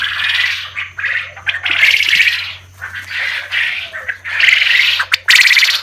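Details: Several male quails, all males, crowing together in a cage: harsh, buzzy bursts that overlap and repeat every second or so, over a low steady hum; the crow is used to tell males from females.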